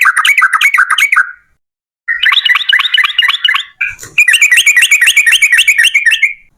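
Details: Energetic ropel panjang song of a yellow-vented bulbul, played as a lure to spur other bulbuls to sing: fast bursts of bright, chattering whistles, broken by a short silence and a soft click before a higher, denser burst.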